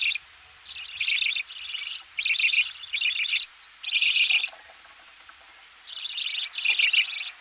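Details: Budgerigar chicks in the nest call while being fed: grating, scratchy chirp bursts come in clustered runs, with a longer quiet spell partway through.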